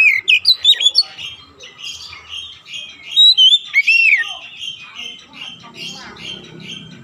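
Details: Oriental magpie-robin played as a training recording for young birds, meant to help them quickly develop a rapid, dense 'nembak rapat' song. Loud, shrill whistled notes come in quick bursts, some slurred and rising, with softer chattering twitters between them.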